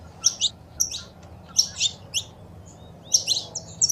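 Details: Saffron finch female calls with male song, played to encourage caged birds. Short clusters of two or three bright high chirps spaced about every second, with quiet low hum between.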